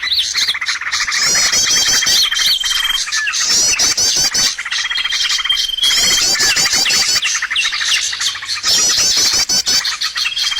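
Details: Bird lure sound for attracting birds to traps: a dense, overlapping chorus of high chirps, rapid trills and a long steady whistled tone, in loud bursts broken by short quieter gaps.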